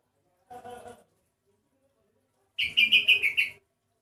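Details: Sooty-headed bulbul with an oddly unusual voice, unlike ordinary individuals: a short low murmur comes first, then a quick chattering run of about six bright, evenly spaced notes lasting about a second.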